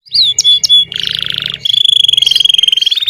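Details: Domestic Belgian canary (Serinus canaria domestica) singing a bell song: loud, high whistled notes, then a rapid buzzy trill and a long fast rolling trill.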